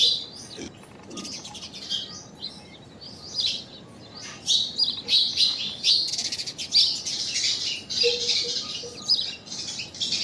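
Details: Common myna calling unusually: rapid, chattering, scratchy notes that swell into a dense run of squeaks and chirps lasting several seconds, over a soft background hiss.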